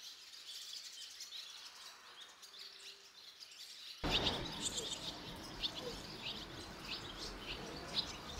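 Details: Barn swallow young fledging, a brood of five leaving within two and a half minutes. A quiet stretch gives way to louder surroundings, then thin, high chirps scattered through the second half.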